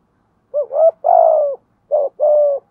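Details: Decoy spotted dove in thúc gù cooing: a rising two-part lead-in followed by a strong, drawn-out coo, then a shorter pair of clipped and sustained notes. No other sounds heard.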